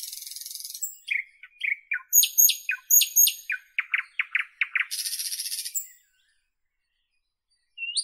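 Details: Singing nightingale from northern Europe opens with a harsh rattle, then rich repeated phrases, a rapid pulsing run of strong notes, another buzzing rattle, a pause and a last rising whistle.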